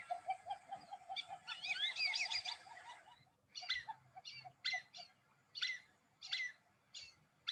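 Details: Nocturnal flyover call of the Black-bellied Whistling-Duck from Las Colonias, Santa Fe; steady low whistles lead into a dense burst of rapid high chatter, then separate sharp whistled notes repeated roughly every half second.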